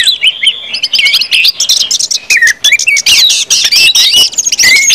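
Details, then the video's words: Orange-headed thrush ngeplong singing to encourage other birds: rich, rapid jumble of high whistles, chirps and slurred notes in a continuous energetic stream. "KUMPULAN ANIS MERAH NGEPLONG BIKIN CEPAT BUNYI DAN GACOR ANIS MERAH"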